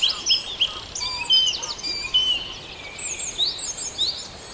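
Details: Birds of the Farndale dawn chorus sing varied high whistles, slurred notes and twittering phrases that overlap irregularly, with a few lower whistled notes beneath, against a soft background hiss.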